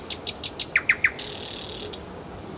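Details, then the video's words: Nightingale in Kuzminki forest park delivering rapid, evenly spaced high clicks, then three descending throaty notes, followed by a sustained hissing buzz and one short high whistle. "Голос соловья"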